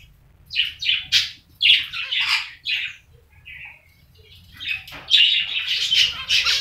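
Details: Two black-faced finches, a pair, trade quick high chirps in clustered runs, pause briefly in the middle, then resume in a denser, overlapping burst; low steady hum underneath.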